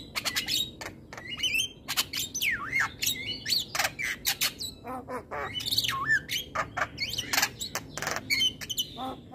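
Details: Morning song of a Javan myna: loud harsh squawks alternating with swooping whistled notes that dip and rise, dense and continuous throughout.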